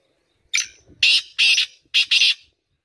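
Black francolin giving its harsh, grating call: five loud raspy notes in about two seconds, a single note then two quick pairs.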